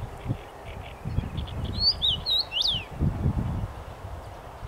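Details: Common rosefinch in song in a tree on 23 May 2021: faint soft notes, then a clear whistled phrase of slurred notes ending in a sharp rise and fall, over low rumbling noise.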